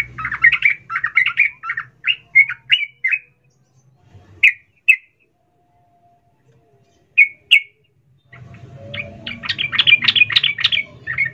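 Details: Calling female sooty-headed bulbul addressing a male: a chattering run of chirps, a long silence broken by a few single notes, then a loud fast burst of sharp calls.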